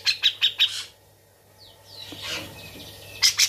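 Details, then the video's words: Caged, tame cucak jenggot in busy song with grejaan-style chatter: four bright chirps in quick succession, a pause, soft slurred squeaky notes and a rough scratchy phrase, then two more sharp chirps. A low steady hum underneath. "Cucak Jenggot Gacor isian grejaan"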